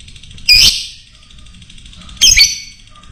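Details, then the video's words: Lovebird of fighter type, sound meant as a lure to excite other birds: two loud, piercing high chirps about two seconds apart, over faint low background hum. "Pancingan Lovebird Fighter Bisa Menaikan Emosi Burung Lain"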